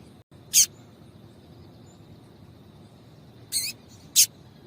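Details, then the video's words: Female yellow-bellied seedeater gives three high, abrupt call notes to excite the male: one early note, then two close together near the end, with soft low noise throughout. "fêmea de coleiro baiano chamando Muito Para Esquentar coleiro baiano"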